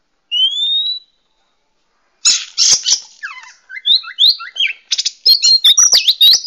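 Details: A wild Oriental magpie-robin gives one clear rising whistle, then a rapid run of varied notes: harsh buzzy bursts mixed with sweet, bending whistles.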